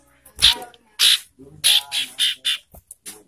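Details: Ashy tailorbird harsh calls used as a lure to provoke birds into breeding condition: a series of about seven rasping, buzzy notes spaced irregularly.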